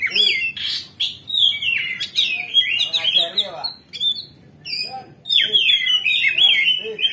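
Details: Loud, continuous song of an oriental magpie-robin, played to stir up another magpie-robin's temper so it replies aggressively. Bursts of rich, warbling, slurred whistles with harsher notes, and a short pause midway before the singing resumes.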